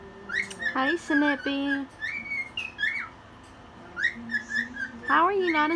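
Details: Cockatiel awake at one in the morning, singing while dancing: bright whistled notes and glides mixed with a few harsher, buzzier calls, while a person's voice talks softly in the room.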